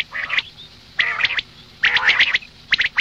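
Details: Loud, grating calls of a female common quail, three or four raspy bursts of clustered high notes separated by brief pauses.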